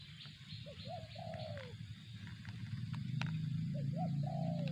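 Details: Spotted dove giving zong-style coos: a couple of quick short notes, then a prolonged descending coo, twice with a gap between. A deep rumbling drone grows louder toward the end, with faint high bird calls.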